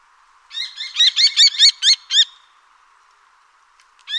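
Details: Kestrel calling a fast series of about eight piercing, high-pitched notes in quick succession, then a pause and the start of another shrill note at the end.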